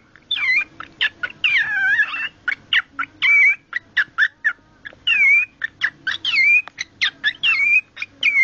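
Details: Pet cockatiel making its unusual noise when presented with a cloth sock: dense, continuous stream of rapid scratchy chirps broken by wavering whistled notes that rise and dip, close to the microphone in a quiet room.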